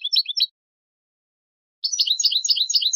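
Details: European goldfinch singing basic song phrases with rattling 'tableteos': a short burst of high twittering notes, a silent pause of over a second, then a fast, busy run of slurred, chattering twitters.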